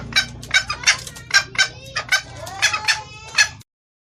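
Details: Female red junglefowl calling to the male with a clear voice, suited to luring males: a run of about ten short, rough clucking notes in under four seconds, a few with a faint rising tonal slide, then silence.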